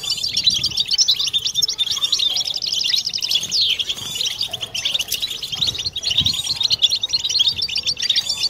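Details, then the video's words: European goldfinches singing together in the 'batbata' style, used to cure silent birds and excite females; unbroken, crowded high chattering and jingling phrases from several birds fill the whole stretch. "بتبتة حسون جماعية ضرورية لعلاج سكوت+تحفيز إنات لحسون قوى بتبتة جماعية لتحفيز حسون على تغريدة تزاوج"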